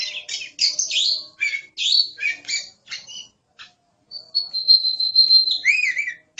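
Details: Oriental magpie-robin, a kept bird in full song, delivering quick varied chirps and rasps, then a sustained high whistle that ends in looping, warbled notes.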